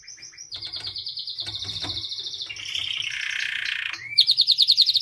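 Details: Caged white canary song: steady high trilled tours, then a lower buzzy rolling section, ending in loud fast repeated chirps; soft low hum in the background.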